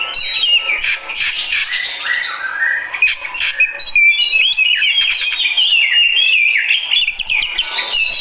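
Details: Oriental magpie-robin, called kacer, a fighter bird reacting with varied song of short whistles and long falling-rising slurs mixed with quick chattering trills, notes coming about every half second.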